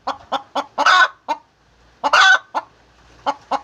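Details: Egg-laying hen giving clipped clucks building to a long harsh squawk, the pattern repeated twice with short pauses.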